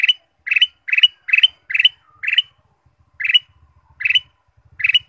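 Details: Lure song of the ruby-throated bulbul, played to get caged birds singing: nine quick chirped bursts, first in a rapid run and then more spaced out, over a faint low rumbling hum.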